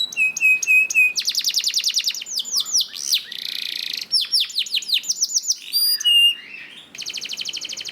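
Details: Canary master song for training canaries to sing: a dense, fast run of high, varied phrases, with rapid repeated chirps, sweeping whistled notes and buzzy trills that change about every second, with no other clear sounds.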